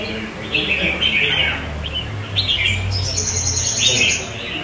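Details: Red-whiskered bulbul raised as a kept bird, singing well with other bulbuls around it. Clear warbled, chattering phrases come in bursts about every second, with a higher trilled run in the middle and low background rumble.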